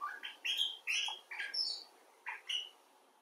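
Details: Common bulbul, from rescued and wild individuals, uttering a few separate bright notes: short upslurred chirps and clear whistled syllables spaced by brief silences, fading at the end.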